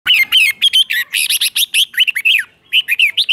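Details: Red-whiskered bulbul singing a doubled 'beun' style song, played to teach young birds to copy; a fast run of bright, chirpy slurred notes with a brief pause near the end, then more phrases.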